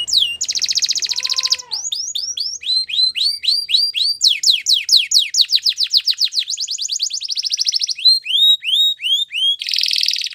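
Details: Belgian canary in full song: quick series of sweeping whistled notes, buzzy rattling trills and a brief low whistled glide, phrases changing every second or two with no other sounds.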